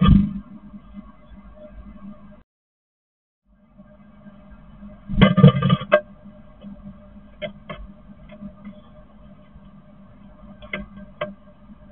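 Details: A steady low hum with scattered clicks and knocks and a brief gap of silence; no animal voice is heard.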